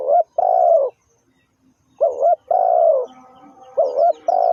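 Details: Spotted dove used to lure wild birds, with three cooing phrases. Each pairs a short warbled note with a long, level, slightly falling croon, and faint higher chirps and murmurs appear between phrases.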